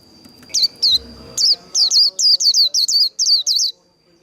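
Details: Japanese white-eye líu đấu competition song: about a dozen sharp, high whistled notes that slur downward, quickening into a steady string after a few spaced opening notes, with a low rumbling noise early on.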